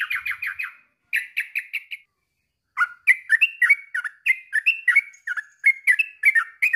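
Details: Yellow-vented bulbul song, played as therapy to get silent bulbuls singing along. Short bubbly, chirping phrases of four or five quick notes, each separated by brief pauses, later running into a longer, livelier sequence of varied liquid notes.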